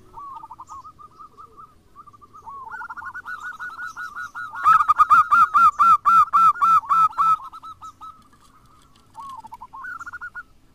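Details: Zebra doves, local or crossbred, give trigger song to start other doves singing. Quiet rapid notes build into a loud, fast, evenly paced series of short honking notes, then soften into brief, softer bursts.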